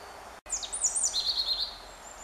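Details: European robin recorded 10 April 2015, singing between pecks at an ant: a brief high phrase of sharp, sliding notes that runs into a quick, shimmering trill lasting about a second, over a soft outdoor hiss.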